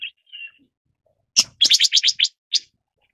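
A red-billed leiothrix opens with a thin high whistle, then a rapid burst of about eight harsh, buzzy chattering notes, with one more after a short pause.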